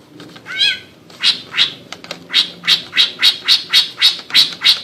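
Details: A captive greater green leafbird (Chloropsis sonnerati) gives a chattering "ngekek" song: one clear whistled slur, then about a dozen harsh, high, rasping notes, roughly four per second.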